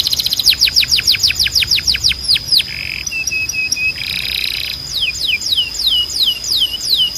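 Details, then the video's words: Training song for canaries, tutor notes for young males: fast rolls of downward-swept high notes, then short low whistled notes in a row, a harsh buzzy burst, and slower spaced sweeping notes over a sustained high tone. "You Won’t Believe How Fast Your Canary Starts Singing"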